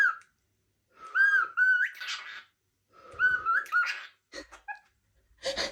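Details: A cockatiel whistles clear, wavering phrases broken by short raspy chatter notes.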